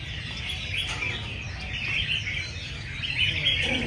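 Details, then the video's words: At a bulbul singing contest, a packed group of caged red-whiskered bulbuls trade quick, chirpy whistled notes continuously, layered over each other, while a low rumbling crowd noise persists. "Dàn chào mào hót đấu mỗi phiên"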